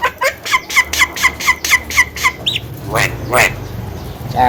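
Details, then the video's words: Javan myna, a chatty young bird able to talk, gives a quick run of clipped harmonic notes about four per second, then a few rising squeals and hoarse notes over a low background hum. "BURUNG JALAK KEBO CALON JUWARA || CERWET DAN BISA NGOMONG"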